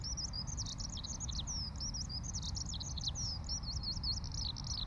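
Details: Eurasian Skylark heard in the morning at a campsite in Ibaraki Prefecture, Japan, as a gentle breeze replaced strong wind; bright, high, rapidly tumbling warble of slurred chirps and trills, nonstop, with faint low wind rumble.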